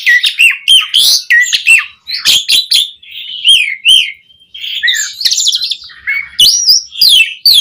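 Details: Asian pied starling in lively, varied song for tutoring captive birds: clipped harsh chacks mixed with clear whistled slurs and buzzy trills, in quick bursts with brief gaps.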